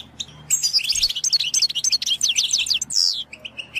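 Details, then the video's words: Goldfinch singing as a stimulus for training songbirds: a fast run of high, liquid twittering notes, about three per second, ending in a brief buzzy note and scattered chirps. "An amazing stimulus for goldfinch songbirds"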